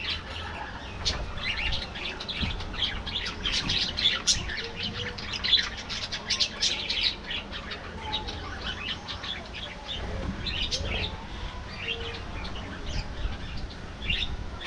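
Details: Budgerigars in an aviary during an afternoon meal keep up a constant twittering of short high chirps and rasping notes, many birds calling at once, with low background noise.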